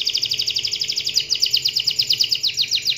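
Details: Canary song played as a lure to get other canaries singing: a fast, continuous, even trill of bright repeated notes, about three per second in pulses, with a low steady hum underneath.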